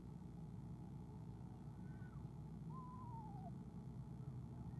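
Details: Soft trill of an Eastern screech owl as its mate comes in, filmed by an owl cam on 17 February 2015: a faint short note, then a wavering trill sliding downward, with low background rumble.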